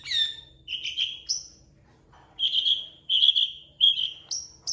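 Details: Long-tailed shrike song, a tutor recording for training champion birds and said to imitate cats and chickens; drawn-out whistled notes, some slurred and some clipped, separated by short gaps, ending on higher thin whistles.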